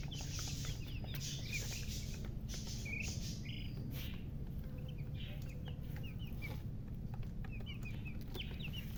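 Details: Newly hatched chicken chicks peeping: short, high, downward chirps scattered throughout, often in quick pairs or clusters from several birds, over a constant deep rumble and frequent clicks and knocks.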